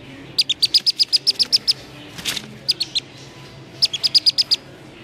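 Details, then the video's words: Distress calling from a Black-bellied Whistling Duck chick found beside the road at about 6:30 pm: three runs of piercing high peeps, with a brief rushing noise between the first and second runs. "llamado de auxilio de un pichón de pisingo o iguaza Común"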